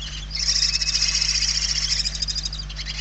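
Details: Barn owl nestlings begging from hunger inside their nest in Spain, late November 2023: one sustained rasping hiss lasting about two seconds, pulsing rapidly, above a constant low electrical hum.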